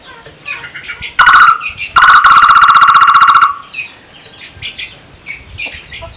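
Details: Barbet, known locally as takur, giving an odd yet melodious call: a brief burst, then a loud, buzzy, rapidly pulsed trill on one steady pitch lasting about one and a half seconds, with faint chirps of other small birds around it.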